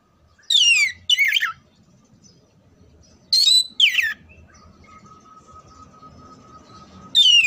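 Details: Oriental magpie-robin (kacer) singing, used to train contest birds: loud, clear, sharply falling whistled phrases in pairs, separated by pauses of about two seconds, over a steady faint tone and soft low background rumble.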